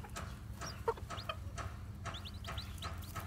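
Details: Newly hatched white black-tailed Japanese bantam chicks walking about, giving short high peeps with a few lower clucking notes, over a steady low background hum.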